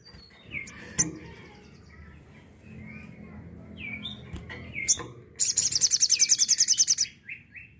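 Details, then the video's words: Tembakan-style song of a sooty-headed bulbul, kept as a master recording for teaching songbirds: scattered chirps, clicks and brief slurred notes over faint background, ending in a loud, rapid, rattling high burst and a few falling whistles. "Suara Tembakan Sogok Ontong"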